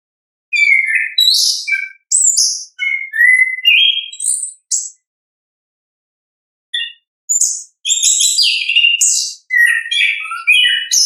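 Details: Orange-headed thrush song in its natural voice, a lure for birds that will not sing: short varied whistles and chips in quick succession, a pause of about two seconds, then a denser jumble of bright notes.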